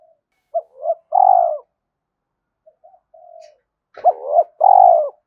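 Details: Spotted dove coos recorded to urge a decoy bird to coo: quick short notes building into a long burry coo, a pause with faint soft notes, then another run of hooked notes and a drawn-out coo.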